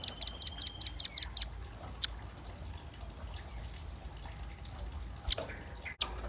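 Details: Velvet-fronted nuthatch in active song, used as lure audio: a brisk string of seven sharp, high-pitched chips at the start. Then near silence, broken only by a few faint clicks.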